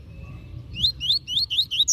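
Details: Coleiro (double-collared seedeater) master bird singing tui tui zel zel style: a rapid run of five or six loud, high, swooping whistled notes, each rising then falling, after a faint thin note, with low hum beneath.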